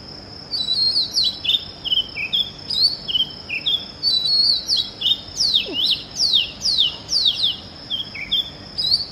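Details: Oriental magpie-robin (Copsychus saularis) singing in early morning: varied clear whistled phrases with slurred notes and quick rising and falling sweeps, delivered in short bursts every second or so, over a steady high-pitched cricket drone.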